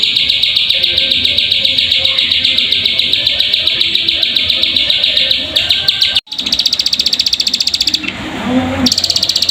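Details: Plain prinia calls used as a lure to make birds sing: loud, rapid, high-pitched buzzy ticking repeated several times a second in long runs, broken by a brief pause and a short burst of noise.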